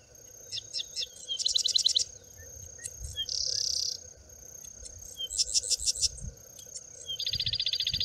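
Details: Grassland sedge wren song from rural Prados: short ticking notes, a loud rattling trill, a flat harsh buzz of about a second, more trills and a closing fast mechanical rattle, steady insect hum throughout.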